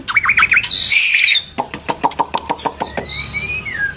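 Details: Breeding female white-rumped shama calling to lure males as it feeds its chick: a quick run of wavering whistles, then a steady series of sharp clicking notes about four per second, with faint high thin tones.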